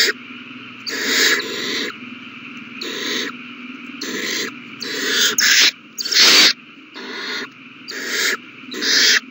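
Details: Owl chicks eating well on 27 March 2020 produce repeated raspy hissing screeches of varying length, several closer-spaced near the end, one louder and harsher.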